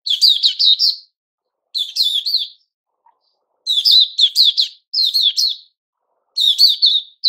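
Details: New-feather-season white-crowned shama in a cage, 6 September 2021, delivering repeated bursts of crisp, rapid, descending chirps with clean gaps of silence between phrases.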